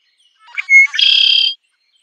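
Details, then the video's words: A single red-winged blackbird song: soft rising lead-in notes, a clear sustained whistle, then a dense buzzy trill lasting about half a second. No other sounds are heard. "Red winged blackbird Sound"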